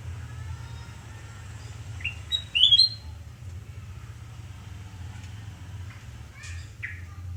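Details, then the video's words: Sooty-headed bulbul in Surabaya on a morning at home, 29 November 2017, giving one brief burst of clear ringing whistles, followed by softer scattered notes against a constant low background hum. "Kicau merdu kutilangan emas Surabaya"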